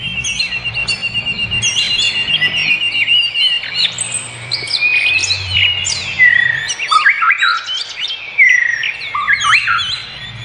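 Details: Birdsong in the wild: lively, varied warbling made of sharp chirps, slurred whistles and quick rising and falling notes, delivered in rapid bursts with short pauses.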